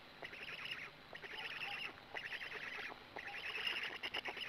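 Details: A Black stork at its nest in Gemenc, Hungary, at 20:04 on 13 May 2017, as it arrives and then feeds: four raspy, hissing bursts, each about a second long, mid-to-high pitched, with brief quiet gaps.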